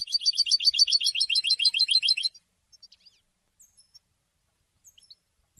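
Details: Rapid, sparkling twitter from a European goldfinch, with fast repeated notes for over two seconds, then near silence broken by a few soft, scattered high chips.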